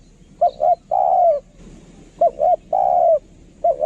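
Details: Decoy-line spotted dove giving its coo phrase twice: two short rounded notes and a long downward-sliding coo, with the start of a third phrase at the end.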